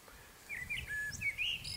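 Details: Long-eared owl chicks, three owlets at a nest with an adult on a branch, in a back garden in Alsace, France, early June, days before fledging, give thin, squeaky high rising and falling squeals in under two seconds, over a faint low rumble.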